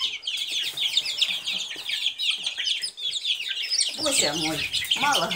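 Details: Many Silkie chicks keep up a shrill peeping chorus; a lower, wavering voiced sound enters in the final seconds.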